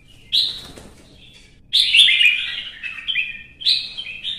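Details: Red-whiskered bulbul in competitive song: a short whistled phrase, a silence, then an extended lively warble with stepped notes and a last bright flourish.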